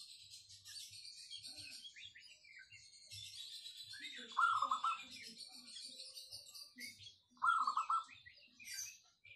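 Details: Wild local zebra dove, sung to lure other birds, with a crisp, dense tone. Two bright, fast-rolling trilled coos come three seconds apart over constant high twittering of other small birds.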